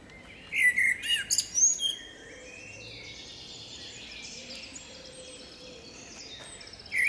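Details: Female common blackbird singing in forest: one energetic phrase of mellow whistles and shrill twittery notes over about a second and a half, followed by a long quiet stretch of soft background hiss.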